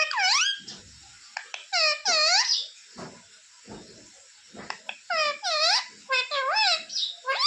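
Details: Talking pet parrot said to call mummy and papa and beg for roti; scattered bursts of nasal, speech-like syllables with rising and falling tones, separated by short quiet gaps and faint clicks in a small room.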